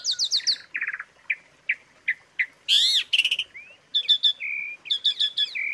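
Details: Asian pied starling song of rapid chattering bursts, spaced single chirps, a loud harsh rising squawk, then stuttering notes and level whistles, crisp and free of background noise.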